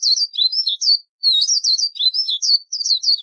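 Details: Daurian redstart singing amid natural surroundings: rapid bursts of high, thin chirping and twittering notes, short phrases repeated in quick succession with brief pauses between groups.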